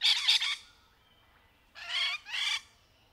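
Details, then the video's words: Courting rainbow lorikeets in trees: a doubled harsh, noisy squawk, a pause, then two more broad grating screeches in quick succession. "Rainbow Lorikeet Sound and Courtship Mating Call"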